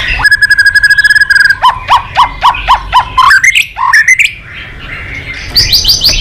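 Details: White-rumped shama singing loudly: a rapid buzzy trill, then evenly spaced ringing notes that step upward into a rising run of sharp whistles, followed by a sustained high twittering passage.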